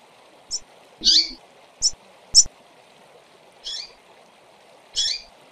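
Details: Calling female double-collared seedeaters give brief, sharp high chips and slightly longer buzzy notes at uneven intervals, with constant low background hiss.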